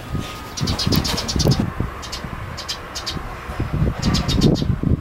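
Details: Sitting in a hand, a sparrow chick repeats bursts of thin high cheeps, partly masked by heavy low rustling and knocking.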